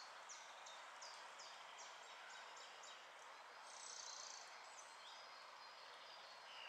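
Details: Bramblings (Fringilla montifringilla) in woods at Kroondomein Het Loo, Veluwe, Netherlands, 20 March 2014: faint, high, short downslurred call notes repeated quickly for about three seconds, then a brief thin note, over steady background hiss.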